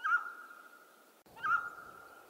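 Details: Two identical calls from a mountain quail of western North America, about 1.4 seconds apart, each a sharp short note that levels into a clear, sustained mid-pitched tone trailing off slowly.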